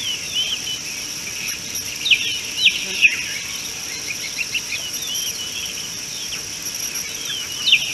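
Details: Common bulbul at an African watering hole, picked up by a live wildlife camera on 13 March 2018; sharp chirps and short slurred whistled notes come irregularly over a steady, shrill insect drone.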